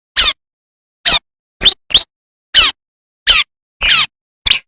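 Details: Bar-winged prinia song, natural wild recording used to tutor kristal and semi varieties: eight short sharp bursts of high twittering, descending and trilled notes, roughly one every half second, with silence between.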